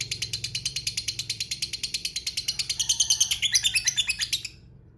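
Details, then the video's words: Long ngekek trill of a lovebird, played as a lure to prompt lovebirds to reply: a continuous high, rapid, pulsing chatter that grows louder and buzzier before stopping abruptly near four and a half seconds, leaving quiet. "Ngetik Ngekek Pancingan Lovebird Cepat Bikin Nyaut Suara Burung Lovebird Ngetik Ngekek Panjang"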